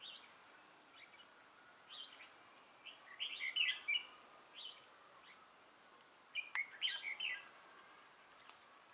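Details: Trapping decoy red-whiskered bulbul, dark-bibbed 'mào lân' type, recorded 6 November 2018. Soft whistled notes build into a richer warbling phrase, then a second similar burst about three seconds later, with a sharp click.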